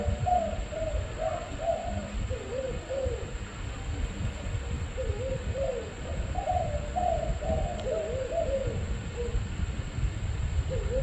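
A spotted dove gives soft, hollow cooing phrases of several mellow notes, repeated steadily over a low background rumble.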